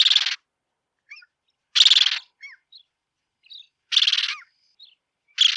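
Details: Bridled tern calling with loud, rasping, grating notes repeated about every two seconds, with soft squeaky chirps and faint twittering notes between the calls.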